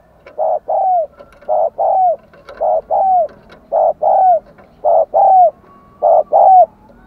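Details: Spotted dove decoy cooing hard to rouse wild doves. Two-note coos repeat regularly, about once a second, each a short note and a drawn-out downward note, with faint higher chirps between.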